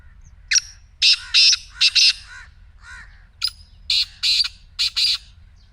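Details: Black francolin call, shared to prompt a silent partridge to call: two harsh, scratchy phrases of rapid rasping notes in close succession, with softer lower notes of another bird in the gap.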